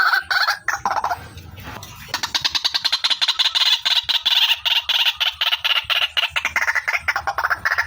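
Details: A few hoarse croaks open this female white-breasted waterhen lure call before a long steady train of fast, rasping pulses takes over.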